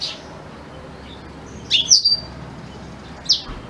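A black-throated canary gives brief, bright, high twittering phrases: a quick cluster of sweet chirps, a pause, then one more sharp note over a quiet background.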